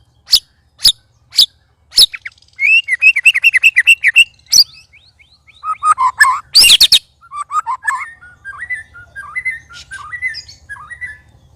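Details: White-rumped shama sparring among three birds: a few sharp clicks, then a rapid trill of repeated notes, a harsh broadband burst, and softer whistled slurs fading toward the end, loud and strange in character.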